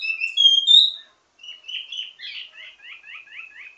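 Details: A wambi mini sings in ledekan style, a teasing, highly varied song for training other birds of its kind: loud clear whistles, a short gap, then a softer series of repeated downslurred notes.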